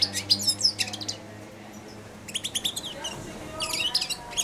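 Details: Hand-fed young European goldfinch, aged four months, sings a babbling subsong while perched at the hand inside its cage; bright, high, fast-stuttering chirps in three clusters separated by brief gaps.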